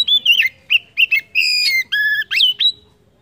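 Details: Oriental magpie-robin song meant to stimulate other birds: a rapid string of clear whistled notes, some sliding and some held steady, with a bright upward-flicking note near the end.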